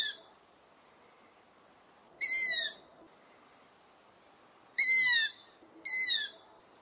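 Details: A juvenile long-eared owl (Asio otus) gives four high, squeaky, harmonic calls, each about half a second long and falling in pitch, spaced irregularly over a quiet background.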